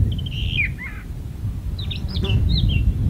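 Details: Brown thrasher in a magnolia tree singing short whistled phrases, some slurred downward and some choppy notes, separated by brief pauses, over a strong low rumbling background.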